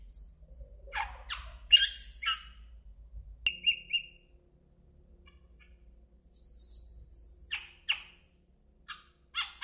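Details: Asian glossy starling, introduced in Taiwan, producing a varied series of harsh squawks, buzzy notes and clear whistled tones in irregular bursts, with a quiet pause midway and low rumble underneath.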